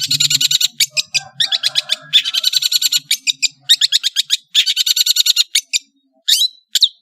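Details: Madura long-tailed shrike in a fast, varied master song: long rattling trains of scratchy chips and buzzes, broken by short pauses, ending in two thin rising whistles.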